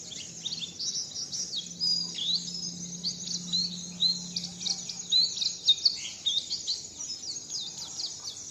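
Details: Bird learning "wit wit zipeer", pouring out rapid, high, sweet twitters and short whistled notes with sharper accents, over a steady low hum that fades midway.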